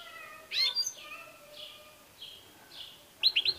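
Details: ['Goldfinch phrases: a loud ringing twitter opens, then softer descending high notes and a quick, bright triple chirp at the close.']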